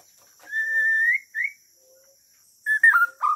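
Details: Melodious Bornean shama (murai) song from 2021: a long, pure whistle slowly rising, a short upward note, then after a pause a rapid burst of falling, warbled whistles, all clear over near silence.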